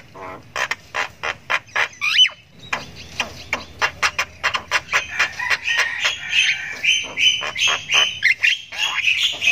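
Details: Young Javan myna chirping continuously as it learns its voice: dense runs of sharp, clicky chirps several per second, turning into longer strained, wavering squeals in the second half.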